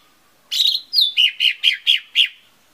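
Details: Lesser green leafbird song used as a lure to get other leafbirds singing: a bright, high song with a buzzy opening note, then six quick chirps about one every quarter second.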